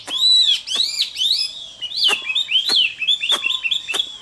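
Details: Chinese hwamei in fighting song on a summer midday, loud arched whistles repeated rapidly, interspersed with sharp percussive clicks about every half second.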